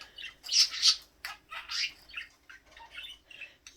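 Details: Frustrated pet budgerigar grunting: a run of harsh, scratchy squawks and short chirps in uneven bursts, some louder and rougher than others, over faint background sounds.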